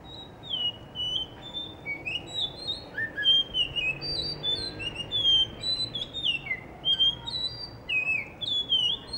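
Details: Blue whistling thrush in Hunza, Pakistan, sings in front of a guesthouse under construction, a species singing actively in the morning before sunrise. A steady run of clear, fluty whistles sliding up and down, short phrases every half second, faint background chirps.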